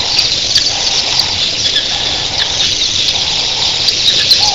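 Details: Massed red-billed queleas at dawn, thousands strong, producing a loud continuous high twittering roar over a softer low rush like surf.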